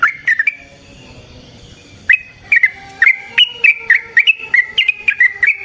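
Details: Yellow-vented bulbul in lively gacor form, a long 'ropel' fighting song used as a lure to make other bulbuls respond; short bubbly whistled notes repeated in quick uneven runs after a brief pause.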